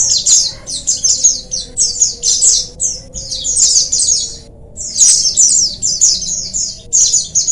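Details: Group of oriental white-eyes chattering together, played to prompt reluctant birds into song: dense bursts of very high, quick twitters and trills from several birds, pausing briefly between bursts, with a steady faint hum underneath.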